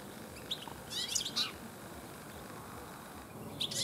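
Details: A European goldfinch sings in a garden in late afternoon, where many goldfinches gather this year. Brief, high tinkling twitters come in two short bursts separated by a quiet pause.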